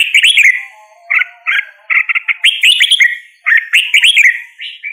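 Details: A red-whiskered bulbul sings cheerful, bubbly phrases of quick up-and-down whistled notes, grouped in short bursts with brief pauses; a faint, low, thin whistle sounds softly underneath at the start.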